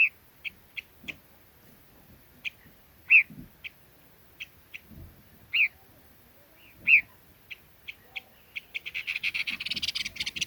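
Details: Red-billed leiothrix: short, clear whistled notes repeated at uneven intervals, some louder and slurred, with a soft buzzing hiss building near the end.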